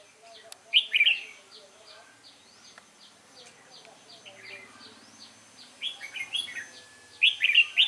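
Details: Caged wild-caught Red-whiskered bulbul, recorded 22 October 2018 on a sunny, cold day. Short bursts of loud chattering whistles open and close the passage, with faint repeated chips and a man talking quietly between them.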